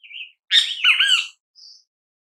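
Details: Great kiskadee in natural habitat: a short whistle leads into a loud, harsh, two-part nasal phrase, followed by a thin high whistle.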